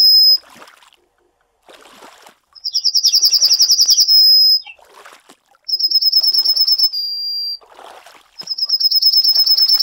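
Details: Singing Yellowhammer (Emberiza citrinella) gives three high-pitched phrases, each a rapid buzzy rattle of repeated notes running into a long steady drawn-out tone, separated by short pauses with faint rustling.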